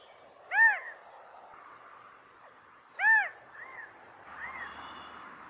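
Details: California quail mating calls: two prominent arched notes roughly two and a half seconds apart above a constant soft hiss, followed by fainter, lower calls.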